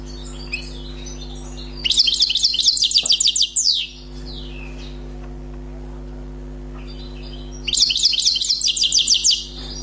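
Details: Newly caught wild European goldfinch sings two dense bursts of rapid, metallic twittering about six seconds apart, each lasting near two seconds, separated by quiet with a constant low hum.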